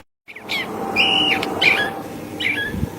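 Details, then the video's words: California thrasher giving a few brief song phrases: a clear level whistle, then short squeaky slurred notes with pauses between, over faint low background hum. "Suara Kicauan Burung Thrasher California"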